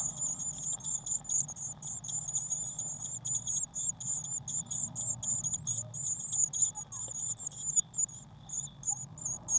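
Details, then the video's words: Eurasian blue tits at a nest box on 19 May 2019, recorded in real time after a feeder was filled with waxworms; very high, thin chirps repeat steadily about four times a second, with a low indoor-like hum beneath. "Blue Tit Nest Box"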